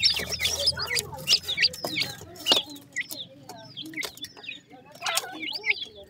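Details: Dakhni teetar, a grey francolin, chicks calling: bursts of shrill chirps and short sliding peeps, then quieter scattered cheeps, broken by sharp clicks and knocks.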